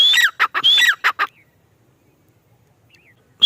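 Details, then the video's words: Male grey francolin calling, a few harsh repeated phrases, each opening with a high whistled note and falling into rasping lower notes, over about one second, then near silence until a last call starts at the end. "Teetar ki awaaz | teetar sound | teetar ki boli | male tetar sound"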